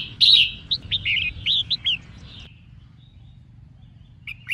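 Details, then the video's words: Female red-whiskered bulbul singing to excite males: a loud opening note then a quick chattering series of about seven slurred whistled notes, followed by quiet and a faint note. "Chim Chào Mào Mái Hót Kích Trống"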